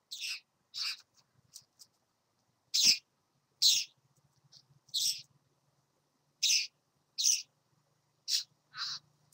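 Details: Satin bowerbird, a visitor at a bower, giving short hissing, scratchy bursts in an irregular series, some close together and others spaced by up to a second or more, over a faint low hum.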